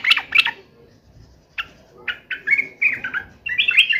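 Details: Agitated sooty-headed bulbul in fighting mode gives scattered short squawky notes, then a loose series of harsh, slurred calls over a soft background hiss.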